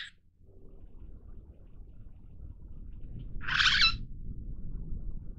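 Long-tailed glossy starling giving a single harsh, grating call about half a second long over a low background rumble.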